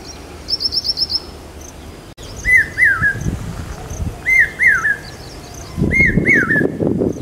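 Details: Monsoon calling of a common hawk-cuckoo around Aurangabad, said to herald rain: after two seconds of a quick high trill from another bird, loud doubled whistles rise and fall in three bursts, with a low rumbling background toward the end.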